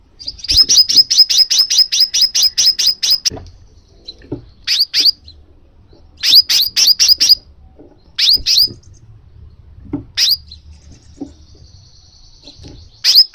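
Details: Crimson sunbird call used to trigger pet sunbirds into song: a rapid run of sharp, high chirps repeated about four per second, then shorter bursts of clipped notes between pauses, over a low background hum.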